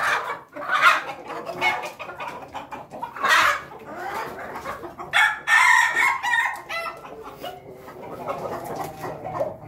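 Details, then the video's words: Pelung chickens crowing in a noisy flock: several loud, rough crows burst out one after another over about six seconds, separated by steady clucking and low background chatter. "ayam ketawa pelung berkokok"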